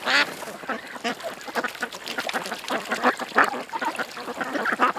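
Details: A group of ducks at a creek produces loud, buzzy quacks, with one strong call at the opening and sharp single quacks spaced through the rest.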